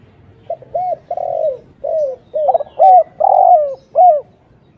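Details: Lively spotted dove giving clear lure calls meant to draw in other doves: a steady run of about eight hollow coos, some short and rounded, others drawn out and falling, with no other sounds.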